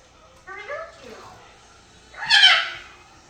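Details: A 3-year-old male red-sided eclectus parrot chattering gibberish before bedtime gives a short, speech-like warbled phrase, then after a pause a loud, harsh, rasping squawk.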